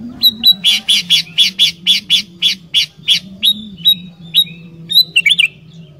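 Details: Energetic sooty-headed bulbul song, used to stir wild bulbuls to sing: a rapid, steady series of about fifteen short chirpy whistles, then a few slurred bubbly notes, over a steady low hum.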